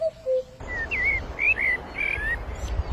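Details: Bird heard on May 5, 2023 giving a few clear whistled notes, wavering and slurred, in a short phrase above a low rumbling background.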